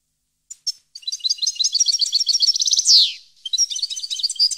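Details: Goldfinch song recorded in 2015. After a few sharp opening notes comes a long, rapid twittering series, a pulsed trill and a loud descending buzz, then the tinkling chatter resumes.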